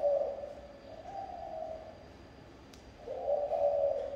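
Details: Local-style spotted dove song: low mellow coos, a soft phrase at the start and a fuller rolling one near the end, separated by a quiet gap; faint click and steady background whine.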